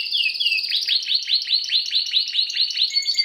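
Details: Song of a Timbrado canary, used to train canaries: rapid, evenly spaced high chirps sweeping downward, rolled into a continuous trill, with a thin steady whistle near the end.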